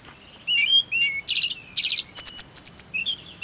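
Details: Loud, clear snowy-browed flycatcher song played as therapy to make birds sing: looping high whistles, low slurred notes, two buzzy rattled bursts, then a fast series of sharp high chips.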